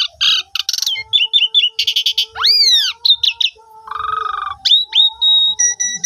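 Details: Asian pied starling song used as a lure to get silent starlings singing fully, recorded on a phone: varied loud whistles, rapid buzzy chatter bursts, a sweeping arched whistle, and a long steady high note, with a faint low hum beneath.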